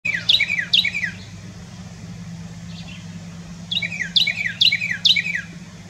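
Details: Carolina wren singing loud, rapid ringing phrases of quick downslurred whistled notes repeated in a rolling series, a burst at the start, a brief pause with faint notes, then a second burst, over a steady low hum.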